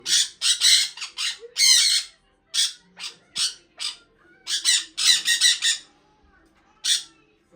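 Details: Pet sun conure giving loud, harsh chirps in short bursts, some quick rapid runs of notes, others single sharp squawks, spaced irregularly with brief silent gaps; faint low background hum.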